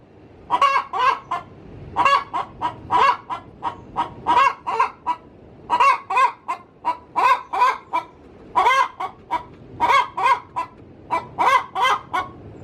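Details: Hen in her coop cackling before laying an egg, with repeated bursts of four to six coarse, buzzy clucks, each burst starting loud and trailing off, over nearly thirteen seconds.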